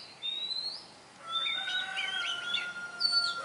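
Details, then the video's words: Wild Oriental magpie-robin song in nature: a rising whistle, then warbled phrases over a long steady lower tone, ending with another high whistled note. "Chic Chòe than hót ngoài thiên nhiên"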